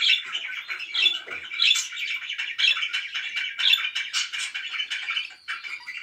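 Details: Pet budgerigars chirping loudly, a warbling, chattering flow with brighter squeaky notes recurring about once every second over a steady buzzy background.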